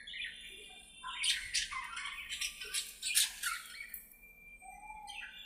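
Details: Budgies at play in an aviary, talking to each other in a rapid run of scratchy squawks and warbled notes, ending in a soft whistled note over low hum.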